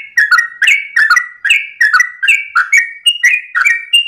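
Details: Ropel-style dawn song of a sooty-headed bulbul. Rich mellow whistles fall in short bubbly phrases, roughly ten in four seconds, some rising at the end. Light crisp clicks sit above the notes.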